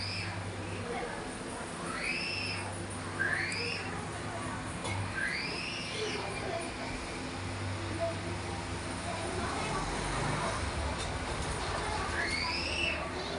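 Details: Caged breeding pairs of budgerigars, eating and flying about, give bright, arching chirps at irregular intervals over a steady low hum.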